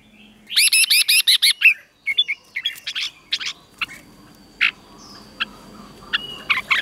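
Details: Red-whiskered bulbul song for caged birds to learn, Thailand: a fast series of about seven loud, evenly spaced chattering notes, followed by sparse short chirps and brief whistles over a soft background hum.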